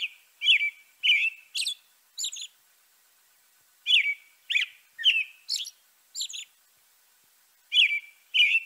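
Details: European robin singing short, high, thin phrases of sliding whistles and quick twittering notes, bursts of about half a second separated by brief pauses, with a longer silence mid-clip; clean background.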